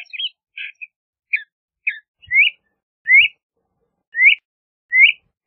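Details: A few short chirps from a LeConte's thrasher, then a series of clear upslurred whistles repeated roughly every second, with faint low knocks.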